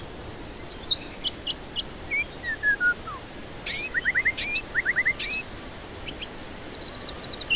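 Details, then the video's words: White-rumped shama song meant as a lure for stressed birds that will not sing: falling whistles, grouped quick upslurred notes repeated in bursts and a closing high rattle, over faint hiss. "Pancingan murai batu ampuh cocok untuk pancingan murai batu stres malas bunyi"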